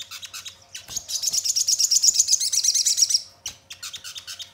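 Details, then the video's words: Crimson sunbird lure song meant to prompt other birds to sing and answer: rapid high twitters leading into a fast, dense, shimmering trill of about two seconds, then more scattered sharp chips. "Pancingan Sogon Bahan Agar Cepat Bunyi Gacor dan Langsung Respon Nyaut"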